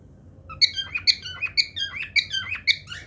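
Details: Cockatiel singing: a rapid series of bright chirped and whistled notes, many short rising and falling elements repeated several times a second after a quiet start, in a small room.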